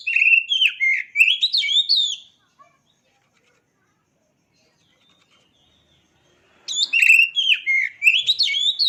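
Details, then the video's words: Oriental magpie-robin singing two bursts of fast, varied whistling and twittering phrases, each around two seconds long, separated by roughly four seconds of near silence. "Dengar Suara Asli Kacer Ini"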